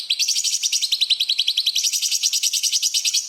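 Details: Light-vented bulbul in its 'tembakan' rapid-fire style, used as tutor song for murai and kacer: a continuous high, fast rattling trill of crisp, evenly pulsed notes lasting over three seconds.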